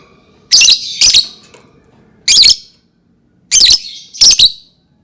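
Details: Lovebird giving loud, harsh, high-pitched squawks in short bursts, mostly paired, with pauses of about a second between groups; quiet background.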